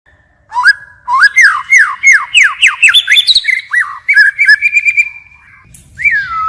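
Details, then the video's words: White-rumped shama singing in a forest-style voice, with continual changes of phrase: a quick run of clear whistled notes that slur upward and then fall, followed by sharper rising sweeps. It ends in a long descending whistle. No other sounds stand out. "Chích chòe lửa hót giọng rừng hay đảo giọng liên tục"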